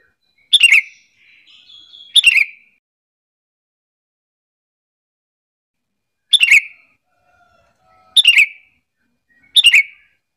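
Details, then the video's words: Lure call of a sooty-headed bulbul for provoking answers from other bulbuls; five rasping chirps at uneven intervals, with soft, quieter whistled notes between some of them. "Pancingan Kutilang biar bunyi gacor sahut sahutan"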